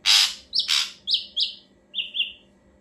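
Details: A loud, lively ashy drongo phrase for luring birds into replying: a harsh rasping note, then a run of bright whistled notes, with two lower paired whistles closing the phrase.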